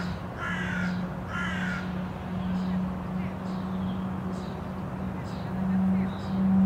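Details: Common starling in Tivoli Landscape Park, Ljubljana, Slovenia, 4 May 2023, singing two harsh, grating rasps followed by a run of faint, thin high whistles, over a steady low hum of distant traffic.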